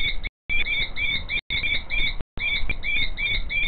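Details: A female common kestrel calls in the background in a fast run of short, sharp, high notes, roughly one per second, while the male scrapes a nest hollow in front of her; steady low wind rumble, 5 July 2023, about 16:03. Common kestrel.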